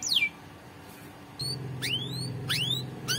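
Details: Canary song used for training, here a few sharp high sweeps, one falling and several rising, spaced by pauses over a low humming background.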